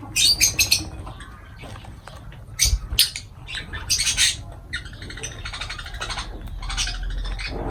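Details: Lovebirds while feeding: scattered loud, harsh squawks and chirps in short bursts, with some bird calls overlapping, over a steady low background rumble.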